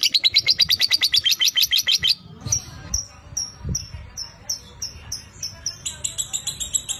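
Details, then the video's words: Lovebird singing ngekek, used as a lure for other lovebirds: a rapid run of high chattering notes, then spaced single sharp chirps with a few low knocks, then quick chatter again. "Suara Lovebird ini JOSS Buat Pancingan Buat Lovebird Agar Cepat Ngekek"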